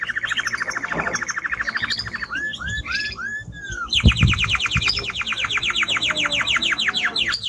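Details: Singing timbrado canary: a long even rattle-like trill of rapid notes, a few bubbling arched phrases, then another fast sweeping trill to the end.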